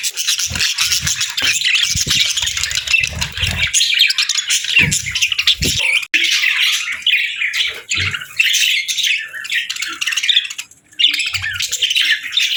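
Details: Playful parakeets eat a warm meal on a crisp winter morning, filling the air with unbroken high chatter, chirps and squawks. Soft thuds sound in the first seconds.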